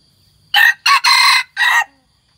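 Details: Hybrid red junglefowl, one year old, white-earlobed type, crows loudly: four harsh broadband bursts, a short note, a second, a long drawn middle syllable and a final one, over a quiet background.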